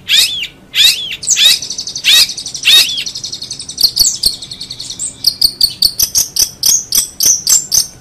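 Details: Energetic 'gacor' song of a long-tailed shrike: loud descending sweeps at first, shifting into fast, evenly spaced high chips that speed up toward the end.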